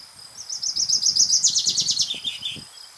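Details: Two male common chaffinches, one answering the other, sing bright, rattling trills that step down in pitch and end in a quick, lower flourish, each about two seconds, over faint background rumble.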